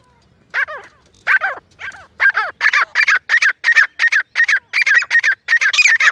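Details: Grey francolin, given as a female, calling in jungle for hunting: a few spaced downslurred harmonic notes that speed into a steady train of even, buzzy calls nearly three per second.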